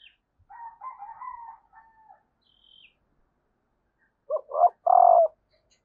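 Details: Spotted dove hen calling to arouse males. Soft, higher burry chatter opens, a faint squeak follows, then a loud low coo of two brief notes and a longer sustained note near the end.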